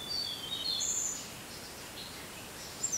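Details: A short burst of thin, high whistled notes from a Tickell's blue flycatcher, rising and falling in the first second, then fading into steady background noise with one faint note near the end.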